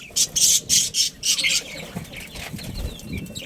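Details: Budgerigar breeding pair, pet Australian parrots: a run of harsh, buzzy high chirps in quick bursts over the first second and a half, then softer scattered chatter with faint low rustling.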